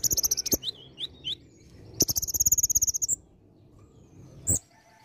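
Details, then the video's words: Olive-backed sunbird singing energetically with varied imitated phrases: quick high ticking notes, three short falling whistles, then a fast bright trill of some fifteen notes lasting about a second, ending with a lone sharp chip. "KONIN GACOR ISIAN VARIASI"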